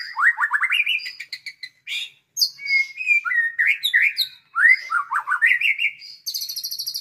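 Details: Young white-rumped shama, around nine months, taught with lovebird, canary and other songbird material, strings together rising chirp runs, sharp high squeaks and varied phrases, ending in a fast high buzzy trill.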